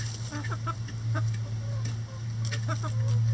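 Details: Chickens feeding on a cabbage ball in their run; short, irregular clucks and chirps spread through the clip over a strong low hum.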